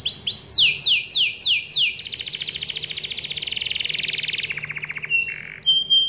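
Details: Canary in a long rolling song meant to get other canaries singing: a few looping swept notes, then a long, fast buzzy trill, ending with brief high whistled tones.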